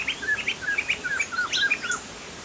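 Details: Poksay jambul from Sumatra, a Chinese hwamei, singing hard ('gacor'): a close, loud rapid cascade of whistled chirps and slurs, varied in pitch and densely packed for about two seconds.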